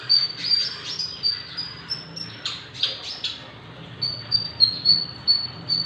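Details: Javan bush lark, six months old, in lively song, recommended as a tutor or prompt bird. Thin high notes repeated quickly, with a few broader buzzy bursts in the middle and a faint background hum.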